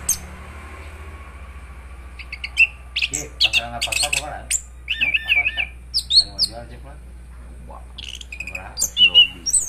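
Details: Orange-headed thrush singing gacor ngeroll: bursts of high, scratchy chirps and trilled, wavering whistles separated by short gaps, over a steady low hum.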